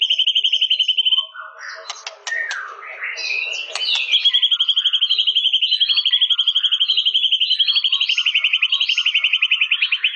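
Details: White-rumped shama giving a high, sustained, rapidly pulsed trill that runs for several seconds. Scratchy chatter and clicks break in around the middle.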